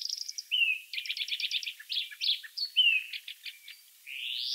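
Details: Wild European greenfinch song of quick twittering notes and short trills, mixed with slurred whistles and ending in a rising nasal wheeze.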